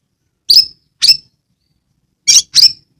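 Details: Oriental magpie-robin from Kebumen, Central Java, singing as a lure for lazy caged birds. Four loud, harsh, squeaky notes with falling tails, two early and two close together near the end, separated by silence.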